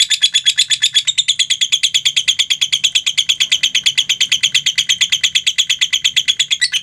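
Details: Long ngekek trill from a mentil lovebird, steady rapid pulses of high, rasping notes, roughly seven each second, held without pause for almost seven seconds and ending in a slight flourish.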